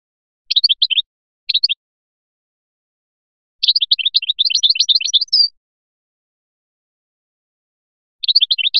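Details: Biskra goldfinch in Felyachi style giving short twittering snippets, then a sustained rapid run of bright chirps ending in a brief whistle, and a final short burst after a pause.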